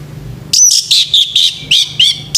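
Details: Male orange-headed thrush in morning song, loud high whistled phrases with slurred, wavering notes, delivered in about eight short bursts, over a faint low hum.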